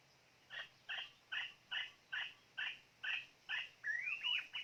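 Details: A white-rumped shama used as a decoy for bird trapping repeats harsh, rasping notes about twice a second, eight times, then breaks into a clear whistled flourish that climbs and dips.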